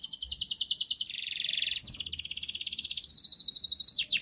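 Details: Canary singing persistently, a master song meant to prompt a silent canary to sing: long fast high trills, switching between rolling tours of different pitch, with a light background hiss.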